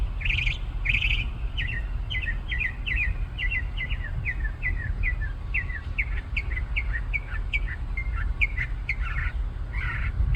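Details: Songbird singing from a treetop in a parking lot, delivering a long run of slurred, downward-sweeping whistled notes repeated about twice a second, each phrase slightly varied, against constant low engine and traffic rumble.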